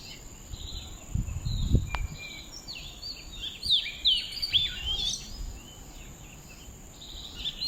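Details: Birds calling outdoors: after a soft low thump and a brief click, a tumble of bright chirps, sharp upslurred whistles and twitters builds in the middle, then thins out, with a constant high-pitched whine underneath.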